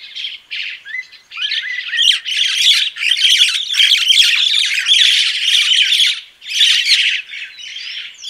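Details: Crested myna singing a dense, continuous stream of harsh, grating chatter mixed with squeaky whistles and short slurred notes, loud and nearly unbroken, with brief gaps between scratchy phrases.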